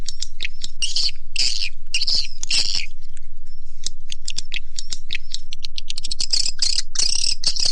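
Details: Swiftlet lure call for swiftlet farmers in Indonesia and abroad: scratchy buzzing chirps repeated in bursts, thin whistled slides, and quick trains of dry clicks.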